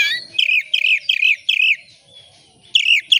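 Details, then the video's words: Caged Oriental magpie-robin (kacer) singing as a lure to draw other birds into song: a phrase repeated about six times, each a bright warbled rising-falling note with harmonics, a pause, then two more phrases. "Kacer gacor buka ekor pancingan kacer gacor langsung on"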